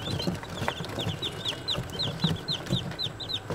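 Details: Day-old chicks peeping: clear, high, arched cheeps repeated several times a second, overlapping from a few birds, over low rustling and thumps.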